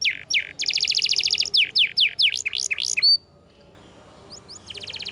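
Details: Canary song used as a tutor recording: rapid buzzy rolls mixed with repeated sharp down-slurred notes, a clear whistle, a short pause, then a few high chips and the start of another rapid roll.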